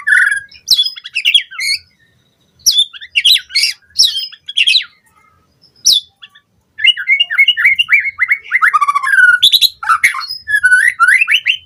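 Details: Captive white-rumped shama used as a lure recording to train other caged birds, delivering a rich, varied song of rapid whistled and chattering phrases, sharp high notes and mimicked fragments, with short pauses between bursts.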